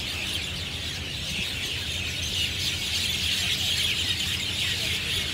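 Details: Many mynas, either Javan or Jungle Myna, noisily chirping together in treetops at Marina Barrage, Singapore, Sunday afternoon; an unbroken wash of shrill overlapping calls over a low droning hum.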